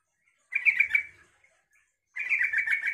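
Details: Yellow-vented bulbul song that provokes other bulbuls to sing: a lively bubbling warble of under a second, a pause, then another rapid chattering run of liquid notes.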